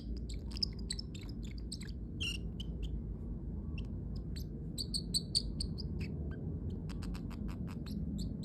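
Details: A pet parrotlet making cute sounds: short high chirps and clicks scattered throughout, some in quick runs, over a steady low background hum.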